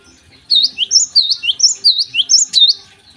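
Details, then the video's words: Energetic Java sparrow song in the morning: around ten loud, bell-like notes alternating higher and lower swoops in fast rhythm, clean background. "gelatik gacor di pagi hari"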